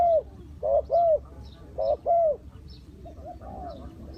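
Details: Spotted dove decoy during trapping, repeating short, mellow, arched coos in paired bursts, then softer fainter coos trailing off, over a low continuous rumble with faint high chirps.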